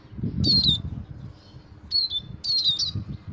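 A finch sings three short bursts of high, thin twittering notes that slide downward, over a low background rumble.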